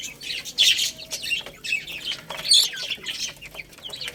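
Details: Baby chicks feeding on rice give a busy overlapping chorus of bright, short peeps, loudest in a few bursts, over a steady patter of sharp pecking clicks.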